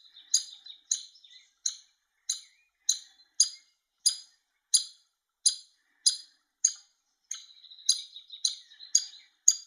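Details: Begging of a hungry young woodpecker fed by the male parent; repeated shrill chip notes nearly every half second, with a few softer twittering notes mixed in.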